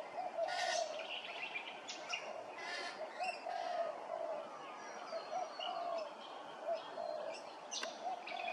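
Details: Grey-crowned babbler recorded at Hervey Bay, Queensland: a series of rasping, chattering notes and brief squeaky phrases scattered through the clip, with a constant low tonal drone in the background and one sharp click near the end.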